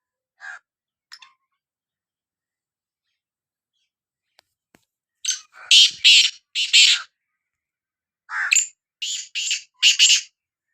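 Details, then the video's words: Sindhi black francolin (kala teetar) calling: two faint short notes, then loud harsh grating buzzy notes in two bursts of about four to five notes each, otherwise quiet background. "Kala Teetar Voice | Black Frankoline Voice کالا تیتر کی آواز"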